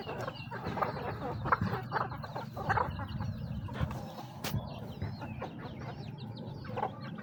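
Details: Several chickens clucking while eating feed: short, throaty, overlapping clucks repeated irregularly over a constant low rustle and pecking noise.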